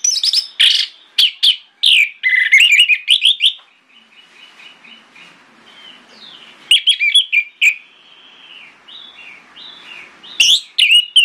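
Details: Morning song of an orange-headed thrush used to prompt other thrushes to reply: rich, varied whistled and warbled phrases in rapid bursts, a quieter sustained whistle in between, then more loud jumbled phrases.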